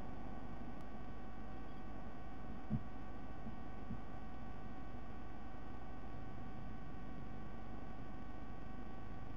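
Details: Quiet low hum and background noise with a single faint click, no animal sound present.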